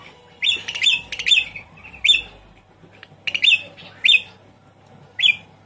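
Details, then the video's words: Captive Javan pied starling in a lure recording for a bird that has gone quiet: repeated sharp, squeaky chirps with rough edges, given singly or in pairs at irregular intervals. "Suara pancingan burung jalak suren macet bunyi"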